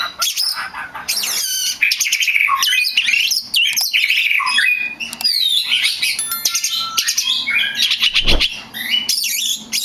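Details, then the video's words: Oriental magpie-robin singing as a lure meant to make other magpie-robins answer: dense mix of sweet whistles, harsh rasping bursts and quick chattered notes, with a brief low thump near the end. "SUARA P4NCINGAN KACER BAHAN / GACOR DIJAMIN LANGSUNG NYAUTT!!"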